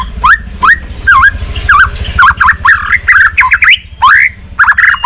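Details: Competitive song of a white-rumped shama in training, tail flicking: bursts of fluty slurred notes and quick rising phrases in short clusters over a low background rumble.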